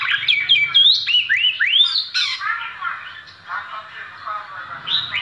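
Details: Oriental magpie-robin kept as a performing songbird, giving bright rising whistled sweeps and quick slurred notes in the first half, then softer warbling under a faint low hum and a voice.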